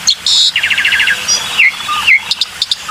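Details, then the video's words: Black-winged myna lure sound: a buzzy high note, then a quick stuttering run of about ten short notes, followed by downslurred whistles and scattered clicks. "PANCINGAN SUARA BURUNG JALAK PUTIH"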